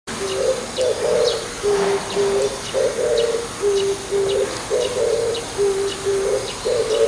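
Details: Oriental turtle dove calling in the morning from an antenna: low, hoarse cooing phrases of paired and grouped notes, repeated steadily about every two seconds with a slightly rising then falling rhythm, faint high ticks in the background.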